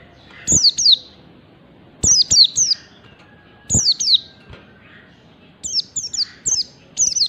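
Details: White-eye (pleci) practising the rapid 'ngalas' song style: bright, high, downward-sweeping chirps in clusters of two to four, each cluster roughly every one and a half seconds, with faint clicks and a quiet background.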